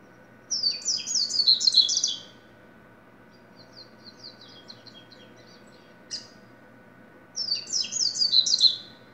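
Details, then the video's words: Double-collared seedeater singing fast, high, tumbling phrases of sweet chips and twitters, with a quieter, thinner passage between two loud bursts. "Coleiro - Corbatita"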